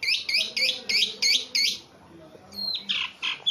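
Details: Very tame kept Javan pied starling singing: six scratchy, rising chirps repeated in quick succession over the first two seconds, then a pause followed by looser harsh and whistled notes.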